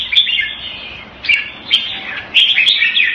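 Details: Red-whiskered bulbul, known as jambul, a hobby songbird, singing short bright warbled phrases of mixed whistles and chirps, delivered in bursts about every half second to a second, with quieter pauses between.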